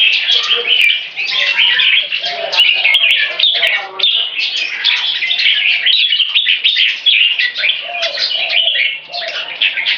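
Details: Three captive open-tailed red-whiskered bulbuls in training, as warmer, sunnier weather arrives, sing in a busy, overlapping chorus of bright, chirpy whistled phrases, chattering at once without pause.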